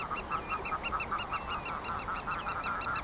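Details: Black-tailed godwits (Limosa limosa) calling together: a dense, continuous chatter of nasal, reedy notes repeated rapidly, several birds overlapping with no pause.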